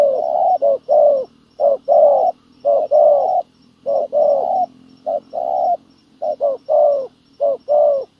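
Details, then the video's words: Steady cooing from a spotted dove decoy in a trapping setup for wild doves: deep, soft notes paired short then long, about one pair a second, over a faint low drone. "bẩy cu gáy mồi đất hay..gặp bổi đồng gù khá tốt nước ngoài kèm bài rất hay"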